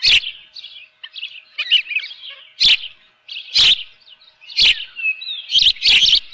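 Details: Osprey at a nest at Dunrovin Ranch with a live fish, June 2018, 7:32 in the morning; scattered high chirps and a drawn-out thin whistle, with loud knocking roughly once a second.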